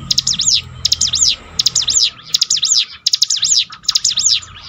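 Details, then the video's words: Training recording of a bar-winged prinia: six quick, high phrases of steep up-and-down strokes, repeated at a steady beat of roughly one phrase per second, meant to build a bird's fighting spirit. "bikin ciblek gunung Ngetop || down mental bangkitkan lagi"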